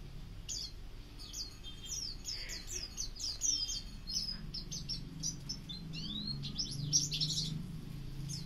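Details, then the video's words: Pleci auri white-eye giving a tutoring song for other birds: a rapid, busy chatter of high twittering notes and downward-sweeping whistles, about four notes a second, continuing without a break over faint low hum. "Pleci auri cocok buat masteran"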